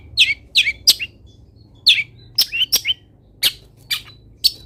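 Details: Long-tailed shrike in full, energetic voice, the song filled with mimicked wild-bird calls, from a training recording: spaced bright chirps and slurred twittering notes, some doubled, with brief pauses between them.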